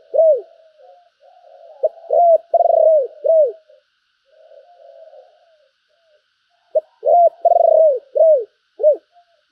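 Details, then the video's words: Decoy spotted dove, praised as handsome and a fine singer, repeating its calling coo twice. Each phrase has short clipped notes, arched coos and a throbbing rolled note, with soft low murmuring between the phrases. "Tiếng chim cu gáy mồi đẹp mã hót hay, thúc và gáy gọi"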